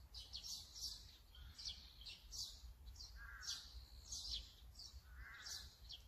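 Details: Azure-winged magpie recorded with a Sony A9 and 200-600mm lens: a steady series of sharp, scratchy chirps repeated roughly every half second, mixed with softer rasping notes, over low outdoor rumble.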